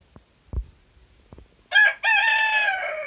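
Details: Rooster crowing in the morning: after a few soft knocks, a loud harmonic crow begins with a short opening note, breaks briefly, then holds a long drawn-out note that falls slightly toward the end.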